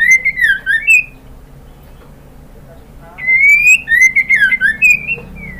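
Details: Female white-rumped shama calling the male to draw a reply. A rapid warbled phrase with clicks, a silent gap, then a long rising whistle running into quick chattering whistled notes.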